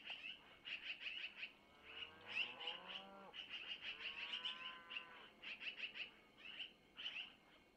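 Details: Long-eared owl owlets at a nest camera in Missoula, 25 April 2024, around 05:05, while the mother takes food from the male and feeds them: rapid, repeated high squeaky bursts, mixed with lower, wavering harmonic calls that rise and fall.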